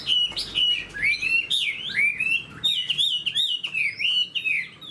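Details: Caged Chinese hwamei, a fan-tailed fighting bird that spreads its wings eagle-style, singing a loud, continuous run of rich whistled phrases that slide up and down, with sharp chirps and quick trills in between.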